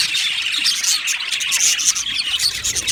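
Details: Budgerigar colony in an aviary: a short burst of dense flock chatter with high sharp chirps and squeaky whistled notes layered over constant twittering.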